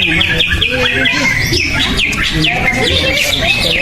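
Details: Greater green leafbird at a bird-singing competition, a bird that took first place at an earlier contest; rapid warbled phrases of sharp sliding notes high up, repeated densely, over loud crowd chatter and men's voices.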